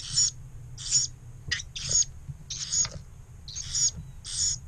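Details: Nest of Carolina wren chicks, two survivors of four, in a pump-house, May 1, 2018, a few minutes after a mealworm tray was placed; harsh, broad, hissing bursts, seven in under five seconds, above faint low hum.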